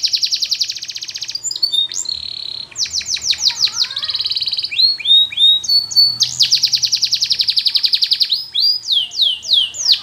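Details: Russian canary performing flute-style training song, chaining fast high trills, rolling sweeps and sustained whistled tours, each phrase repeated several times in quick succession.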